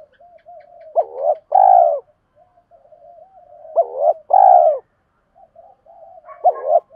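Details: Cooing spotted dove, male and female decoys luring wild birds: repeated phrases of a sharp short note then a long mellow coo, roughly every three seconds, with low soft notes between.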